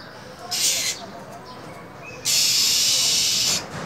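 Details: Female minivet hissing and screeching in cold winter weather to rouse a male: a short breathy burst, a pause, then a longer, harsh, level hiss of over a second.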